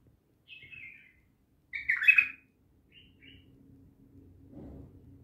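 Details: Bulbul with a brief slurred whistle, then a louder jumbled chattering burst, followed by two soft short notes; low background hum and a faint thud near the end.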